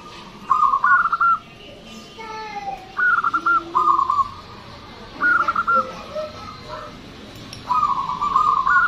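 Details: Local Zebra dove, a loud, long-voiced singer used as a lure for other birds, gives stuttering cooing phrases of quick pulsed notes ending in a drawn-out tone, four bursts over nine seconds, with faint background birds.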